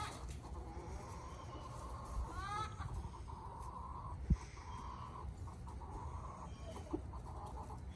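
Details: Five-month-old Buff Brahma rooster crowing in the morning: a rising harmonic start then a long, sustained, fairly level crow lasting a few seconds, over steady low rumbling background noise with a couple of sharp clicks.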